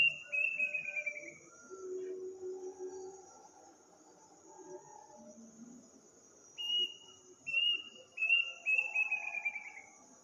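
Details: Eerie call of an unidentified bird in a village at night on the eve of Eid: a whistled run that breaks into a fast, falling trill, a long pause, then a second bout of repeated high whistles, over a steady insect drone.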